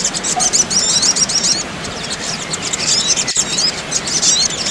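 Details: Crimson sunbird (sogon, sogok ontong) recording used as therapy so a bird is not stressed. High squeaky twitters and bright upslurred whistles come in dense bursts, with a short lull midway and one sharp click.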